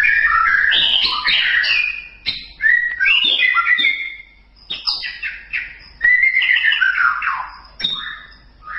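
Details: Murai batu, the white-rumped shama, pouring out a dense, rich song for masteran training: rapid tumbling whistles and chattering notes in quick succession, with brief pauses between loud bursts.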